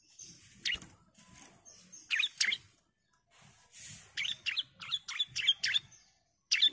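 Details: Female bar-winged prinia calling the male with scattered high chirps that build into a quick series of sharp, bright notes near the end, over faint background noise.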